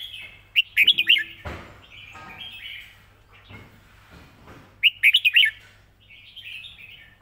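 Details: Red-whiskered bulbul model song for teaching birds, a simple style: two loud phrases of four or five rapid, bright whistles, about four seconds apart, with softer warbling between them.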